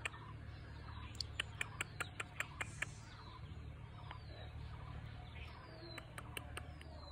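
Bulbul chicks give a quick burst of sharp, high chips, about five per second, then thin falling squeaks over a steady low hum.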